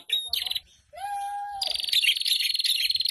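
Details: Several prinias singing together in an ombyokan chorus, used as a lure to get caged prinias singing. Shrill, rapid ticking trills repeat in fast bursts, with a lower steady whistle in the middle.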